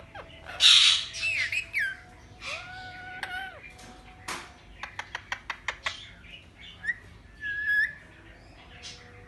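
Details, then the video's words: Talking parrot (mian mithu) chatters in squeaky, speech-like phrases, with a run of sharp clicks and whistled notes between them. "parrot talking mian mithu | talking mithu"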